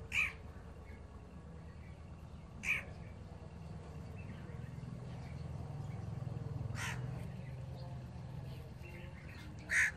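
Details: Young pet Alexandrine parakeets make occasional rasping squawks, four sharp bursts separated by long pauses of several seconds, against a constant low indoor hum.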